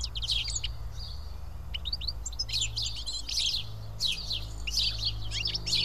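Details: House sparrows, a small group feeding together at Karyotissa, Greece, give many short, high, overlapping chirps in scattered bursts over a steady low hum.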